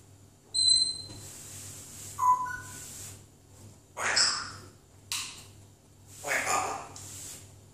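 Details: African grey parrot that will not stop talking: pure whistled tones with an overtone near the start, a short rising whistle around two seconds, then raspy speech-like phrases at four and six and a half seconds, over a steady low hum.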